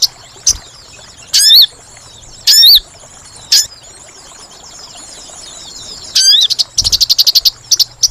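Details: Sooty-headed bulbul lure call for trapping birds: loud, sharp, upswept chirps in scattered bursts, then a fast series of clipped repeated notes near the end, over a steady high hiss.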